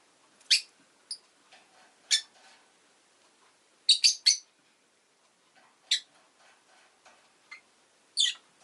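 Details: Rosy-faced lovebird calling with a run of piercing, high, buzzy chirps, some single and some in a quick triple burst, spread irregularly over several seconds.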